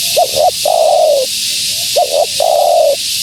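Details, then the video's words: Female spotted dove calling to draw in wild doves: two short hooted notes followed by a long, slightly falling coo, given twice over a steady background hiss. "Suara Burung Tekukur Betina Gacor‼️Tekukur Liar Pasti Tak Tahan Mendengar Suara Ini"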